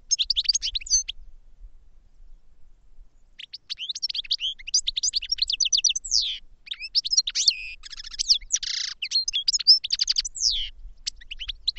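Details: Goldfinch song: a brief burst of high twitters, a long pause, then an extended rambling stream of chirps, buzzy notes and rattling trills.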